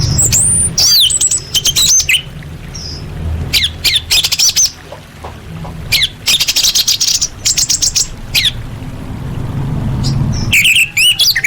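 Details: Calls of a female orange-headed thrush summoning males, used to prompt silent birds to sing. Many high, sharp squawks and whistles come in quick clusters, with brief pauses and a faint low hum beneath.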